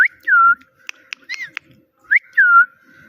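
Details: Talking parrot gives two clear whistled, downward-curving "Mitthu" phrases separated by a burst of short clicks.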